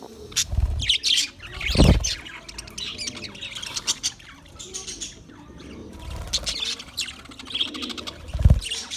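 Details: English budgies on February 14, 2024, chirping and chattering in high scratchy phrases, interrupted by several loud low bumps and brief pauses.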